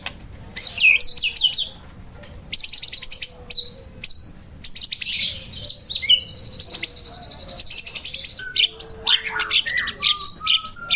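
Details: Song of a white-rumped shama, played as a master recording for training songbirds; fast, varied high whistles, rattling trills and buzzy chatter in dense bursts, ending with lower slurred whistles, continuous with brief gaps.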